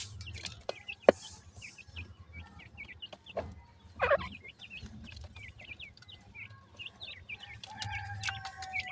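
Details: Grey francolin chicks peeping for their mother: repeated high, sliding cheeps, fairly evenly spaced, with occasional sharp clicks, a thud and low rumbling background.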